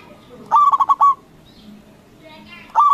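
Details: Loud local zebra dove in active song, meant to rile rival doves into replying. One clear phrase of five bubbling, evenly spaced coos is heard, then the next phrase begins at the very end.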